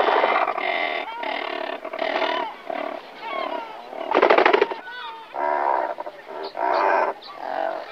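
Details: Near the nests before take-off, several Razorbills produce a run of short harsh growling croaks with some nasal tonal notes mixed in. The calls are spaced irregularly, with a dense rattling burst in the middle.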